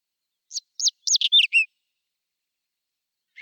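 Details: Whinchat singing in spring, April 2020, filmed on a Nikon Coolpix P1000: one short phrase of high scratchy notes and chirps, ending on a lower buzzy note, then silence and a faint start of another note at the end; quiet background.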